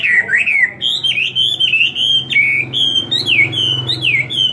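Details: Chinese hwamei, kept caged for two years, in competitive full song: a loud, continuous run of clear, high whistles sliding up and down in rapid looping phrases, over a faint low hum.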